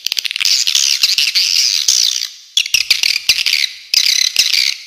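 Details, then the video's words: Swiftlets giving rapid clicking chirps that run into buzzy, trilled twitters, the chatter pausing briefly before resuming in pulsed bursts. "Suara Walet Original"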